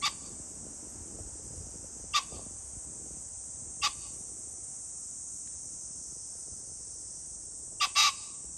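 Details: Pheasant heard on 21 July 2024 giving brief, abrupt, grating calls at irregular intervals, with a quick doubled burst near the end, all set against a steady shrill hiss.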